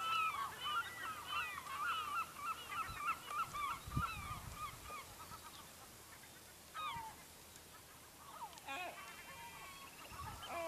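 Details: A crowd of gulls calls beside a fishing village in the Lofoten islands, Norway. Dense, strident yelping notes pile up in the first half, then thin to scattered cries with a few low knocks.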